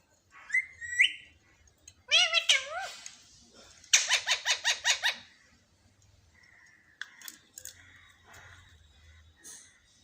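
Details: Talking parrot said to say "mummy mummy", indoors: a varied run of harmonic calls, a rising squeal, a wavering rolling note, then a fast buzzy burst of about eight pulses, followed by scattered softer squeaks and faint room noise.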